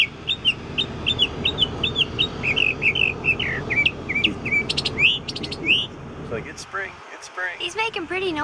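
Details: Bird singing in spring at lunchtime outside a window near an airport: a fast run of bright chirps and slurred notes, then higher trills and wavering whistles, with background hum and a voice.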